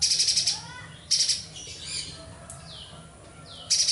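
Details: Streaked spiderhunter in vigorous song with fast, high-pitched rattling bursts, the first long, then shorter ones, separated by quiet twitters and falling whistles.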